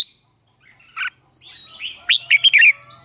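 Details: Red-whiskered bulbul morning song, played to train and stir kept bulbuls to sing. Short bursts of liquid, chirping warbled notes, with a louder run of quick rising and falling phrases toward the end over faint background hum.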